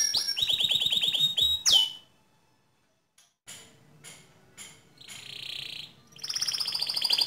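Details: Gacor canary singing to train other canaries: a rapid high trill that ends in a sharp rising note, a near-silent pause with faint sounds, a buzzy burst, then fast trilling again.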